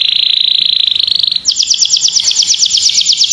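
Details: Domestic canary (Serinus canaria domestica) singing a masteran tutor song for training other birds: a steady high trill holding level, then switching to a faster, higher rattling roll of rapid repeated notes.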